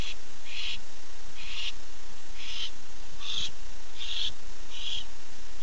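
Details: Six evenly spaced harsh, hissing screeches, about one every 0.8 seconds, from a male barn owl calling for his mate at night, 8 September 2015, over low steady hum.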